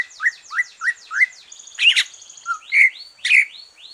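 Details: Post-moult green leafbird song used to spur other birds: a run of short rising chirps repeated about three times a second, then fuller buzzy notes and upward sweeps.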